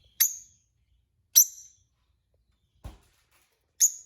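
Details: Peach-faced lovebird, one of a newly acquired pet pair, giving three sharp, piercing high chirps about a second or more apart, with a soft low thump between the last two.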